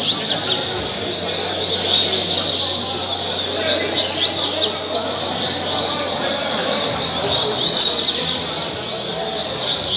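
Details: Caribbean seedeater from Angra dos Reis, Brazil, a celebrated singer of 2019 and 2020, pouring out rapid high chattering trills about three notes per second amid a busy chorus of other small birds.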